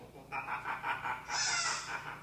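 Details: A female hyacinth macaw, nearly two years old, indoors, talks in quick voice-like syllables: peekaboo, I love you, pretty bird, kisses and laughs. It ends with a harsher breathy burst, with other birds in the background. Speech mimicry.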